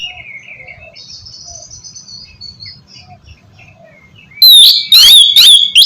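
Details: Oriental magpie-robin song played to stir a lazy kept bird into singing; softer distant warbling and faint chirps from other birds, then a loud burst of three sharp whistled phrases near the end.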